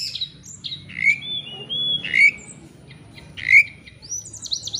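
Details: Oriental magpie-robin in full song, played as a lure to start a rival singing: sparse sweeping whistles and rising squeaks at irregular intervals above steady background noise.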